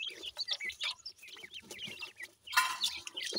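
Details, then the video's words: Young partridge and yellow pheasant chicks pecking for food at home; quick high-pitched peeps from several chicks, then a loud burst of harsh chattering near the end. "partridge goray chicks"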